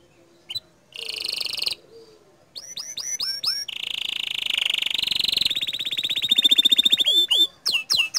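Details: Bottle-green canary with 'tembakan' phrases said to make other canaries agitated: a short buzzy burst, hooked whistled upsweeps, a long rolling trill that rises in pitch and speed, then looping whistles closing the phrase.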